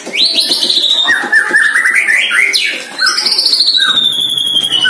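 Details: White-rumped shama, a year old, sparring in song for the first time with a neighbouring shama: long clear whistles sliding downward, interspersed with chattering notes and bright upswept phrases, loud and nearly unbroken.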